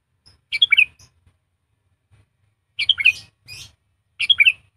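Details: Three quick, liquid chattering bursts from a trained decoy sooty-headed bulbul, a caged tutor bird for bulbuls slow to sing, separated by long pauses, with faint low knocking in the background.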